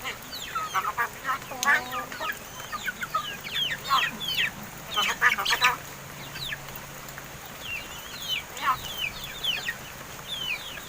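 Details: Captive 7-month-old crested mynas, hand-raised and learning to talk, give a busy jumble of sharp rising and falling whistles and short harsh notes. Calls are densely packed and irregular, with a louder burst around the middle.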